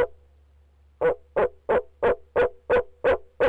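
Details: Persistent calling by a male barred owl from his nest box: a steady string of short low hoots, about three per second, over a faint low hum.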